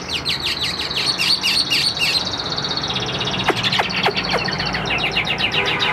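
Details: A caged hwamei, about 85% tame, gives a quick series of repeated chipping notes against steady background hiss. Several sharp isolated clicks follow, then fainter rapid notes.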